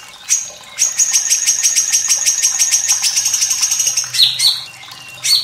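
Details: White-rumped shama song for training juvenile and quiet birds, set against running water: opening note, then a fast, evenly repeated high buzzy trill for about three seconds, ending in a few downslurred whistles.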